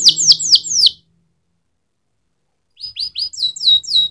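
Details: Canary song: four loud, sharply falling whistled notes, a pause of nearly two seconds in silence, then quieter rising chirps growing into a series of high downslurred whistles.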